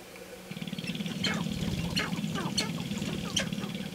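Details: Sharp-tailed grouse during their mating ritual and dance on an early May 5, 2019 morning: a fast, low pulsing rattle starts after half a second, with sharp downward chirps and clicking notes above it.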